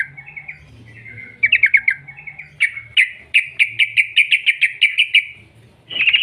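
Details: Yellow-vented bulbul, a lure to set other birds singing: soft warbled notes build into a long, even run of about fifteen loud repeated whistled notes, ending with a harsh burst.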